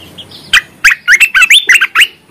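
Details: Bulbul (merbah) song used as a lure to stimulate quiet bulbuls into singing: a quick burst of loud, slurred whistled notes rising and falling, about seven phrases in two seconds, with faint chirps behind.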